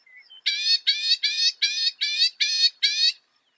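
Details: Northern mockingbird, a mimic said to copy 200 sounds, giving seven harsh, buzzy, rasping notes in an even series, roughly two to three per second, preceded by a faint thin whistle.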